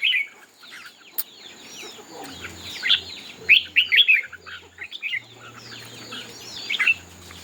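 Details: Red-whiskered bulbul in competitive singing with fanned tail: scattered, quick, chirpy warbling phrases, a sharp click near the start, and low background hum under a steady faint high tone.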